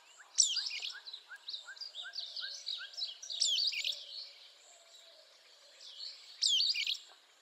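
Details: A sulphur-bellied flycatcher (Myiodynastes luteiventris) calls with loud, squeaky, high-pitched squeals about every three seconds, over a bed of softer chatter and steady chirps from other birds.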